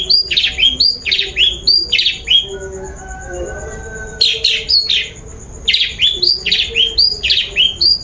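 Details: Long-tailed shrike lure sound for getting a bird to sing: quick bursts of repeated sharp high notes, about four a second, split by a short quieter pause, over a faint steady whine.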